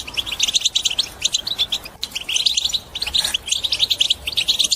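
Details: European goldfinch delivering high, chattering song to stimulate other birds to sing, phrases broken into short bursts of quick twittering and buzzy trills separated by brief gaps, with a faint click around the second mark.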